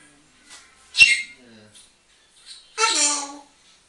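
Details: Captive African grey parrot at home, talking and whistling: a sharp click-like burst, soft falling notes, then a drawn-out nasal harmonic squawk held for about a second.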